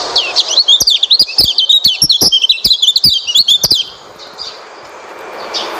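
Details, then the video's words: Oriental white-eye singing, played to coax a silent white-eye into song: a quick, busy run of high, twisting chirps and trills for almost four seconds, then a soft hiss with faint distant notes. "pancingan burung pleci malas bunyi"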